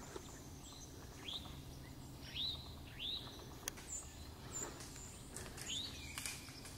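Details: Eastern Towhee at Pleasant Valley Wildlife Sanctuary, Lenox, Massachusetts, 4 October 2024, gives four upslurred 'chwee' notes about one per second over soft outdoor hiss and a few faint high chips.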